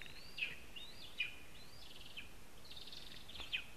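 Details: Lesser spotted eagle (Clanga pomarina) at its nest in a spruce in Zemgale, Latvia: thin, high yelping notes slurring up and down, about one per second, over a steady low background rumble.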